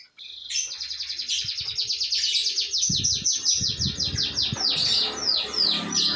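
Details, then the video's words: F2SF canary in full song, a long rapid trill of sweeping repeated notes about three per second rising in intensity, with faint low background rumble. "burung kenari F2sf"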